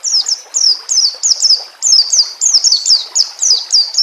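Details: White-rumped shama song on a bird-training recording: clear, high descending whistles repeated steadily, roughly three per second, some given in doubled notes. Gentle flowing water can be heard behind them.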